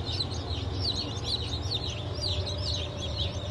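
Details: Fresh hatchlings of Legbar, Silver Wyandotte, Sussex and Wyandotte chickens, hatched 28 June 2023, peep continuously: many shrill rising-and-falling cheeps crowd together, with a constant low droning hum underneath.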